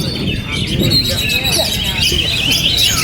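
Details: Kept Oriental magpie-robin singing on through strong wind: a rapid stream of high, bright chirps and short whistled notes, with steady low wind rumble underneath.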